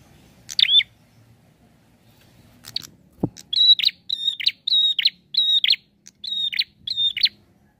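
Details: Prinia in full, energetic song: a run of about eight clipped, bright notes repeated roughly every half second, each a short whistle with a harsh edge. A single sharp click sounds just before the series.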